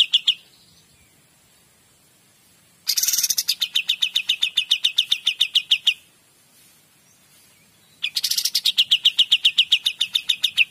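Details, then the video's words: Loud, clear song of a Kapas tembak. Two long phrases each open with a scratchy burst and continue as a quick, even series of bright chipping notes, separated by a two-second silence. "KAPAS TEMBAK GACOR DOR"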